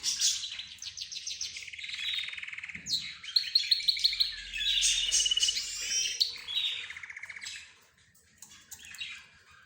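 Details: Pet bird mix of budgerigars, zebra finches and a canary. Rapid repeated chirps and rattling trills tumble over each other, then thin out to sparse squeaks in the last seconds.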